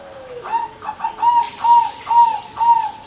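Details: Local zebra dove (perkutut) manggung song: a falling lead-in note, then clear, soft coo notes repeated about twice a second, each slightly rising and then levelling off.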